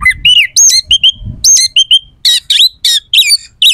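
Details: Oriental magpie-robin pouring out rough, sharp song phrases, meant to rouse rival birds to respond and fight: strident downslurred and buzzy notes in short bursts, some sweeping high, delivered in a jerky rhythm with faint low thumps.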